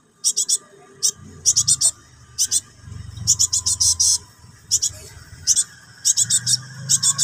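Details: Begging cinereous tit chick calls its parent with repeated rasping hisses, bunched in runs of two to five, gaps of about half a second, over a continuous low hum.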